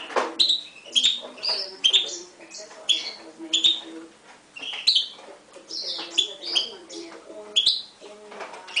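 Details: Mule of Himalayan goldfinch crossed with canary, 2011 bird, singing beside a Timbrado canary. Rapid sharp high notes are repeated about every second in a lively twitter, over faint low humming tones.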